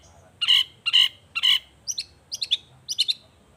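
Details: Long-tailed shrike in full song, used to make other shrikes reply: three loud, harsh, evenly spaced rasping notes, then groups of quick, high, thin twittering chips.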